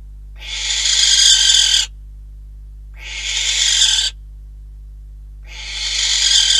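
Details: Barn owl screeches from a Catalonian nest cam, 12 December 2021, recorded around deliveries of a bird and a rodent: three long, raspy hissing calls, each about 1.5 seconds, spaced roughly two seconds apart and growing louder toward their ends.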